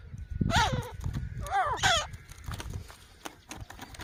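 Grey francolin giving two loud, harsh, wavering notes about a second apart, rich in overtones, over a steady low rumble of background noise.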